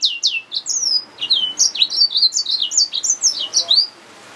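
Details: Continuous, lively song from a yellow-fronted canary mule, a hybrid finch: a stream of high, slurred, downward-sweeping chirps and twitters delivered several per second with little pause.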